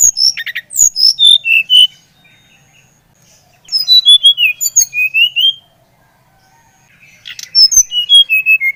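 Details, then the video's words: Bali brown-chested jungle flycatcher repeating its song three times, each phrase a quick tumbling run of clear whistled notes stepping downward, separated by gaps of about two seconds. "Kicauan SRDC Bali Gacor Merangsang srdc Bahan agar cepat Ngeplong Gacor"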